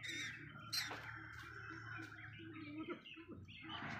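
Golden pheasant giving harsh, squawky calls in short bursts over a steady low hum, with faint chirps and possible voices behind.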